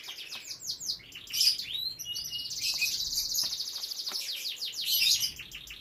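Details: Captive canary from a breeding setup with young birds pours out a lively high song: looping whistled slurs, then a long fast buzzy trill and closing chattered notes.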